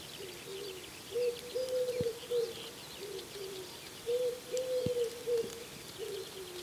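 A wood pigeon gives two husky, low cooing phrases of about five notes each, the stressed middle coos drawn out. Faint chirps from small birds sound in the background.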